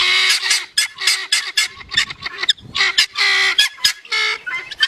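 Guineafowl give loud, harsh, grating calls in quick bursts, several a second, with brief gaps between them.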